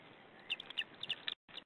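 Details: Feeding time at a white-tailed eagle nest camera on 2 May, chicks given leftover fish: a burst of sharp, high, clipped chirps in quick succession, then a brief gap and two more notes, over low hiss.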